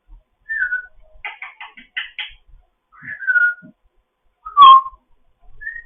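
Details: A foster African grey parrot whistling during morning chatter: a descending whistle, a quick run of clicky pulsed notes, more falling whistles, then a loud sharp whistle and a soft high note.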